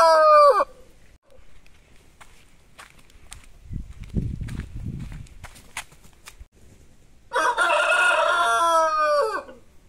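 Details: Rooster in autumn, the tail of one crow at the start, then quiet clucking and rustling, then a second full, loud crow of about two seconds near the end.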